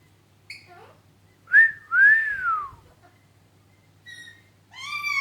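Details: Pet Alexandrine parakeet indoors, chatting with its owner: clear whistled notes, one sharp then a long slurred rising-and-falling whistle, followed by short thin whistles and a rich harmonic squawk, over a low room hum.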